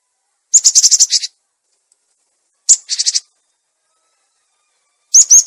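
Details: Cinereous tit lure calls, clear voice, a training recording for tits that stopped singing: long harsh buzzy chattering bursts of rapid pulses, three phrases spaced about two seconds apart, with one high sharp note leading each.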